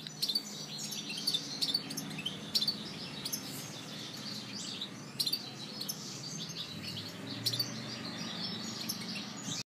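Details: European goldfinch from Algiers, Algeria; high, thin chirps and twitters come in short scattered bursts over a steady low hum of background noise.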